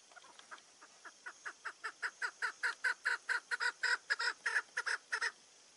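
A female chukar gives a run of about two dozen clucking chuck notes, roughly four a second, that grow louder and harsher through the series.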